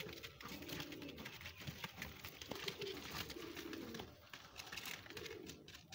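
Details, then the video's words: A crowd of pigeons in a pigeon house gives repeated low, rolling coos in short bursts, with rustling and tapping from the busy flock. "LOT'S OF PIGEONS, बहुत सारे कबूतर"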